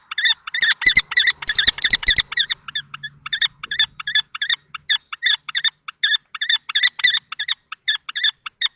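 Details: Long nest box confrontation between two male common kestrels at Théding in March; an opening flurry of harsh calls with knocking, then steady rapid repeated grating notes.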